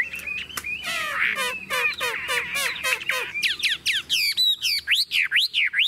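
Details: Tame Chinese hwamei in a hand-held cage that is rocked, singing hard: rapid harsh slurred notes repeated several times a second, ending in loud sweeping whistles rising and falling like sirens.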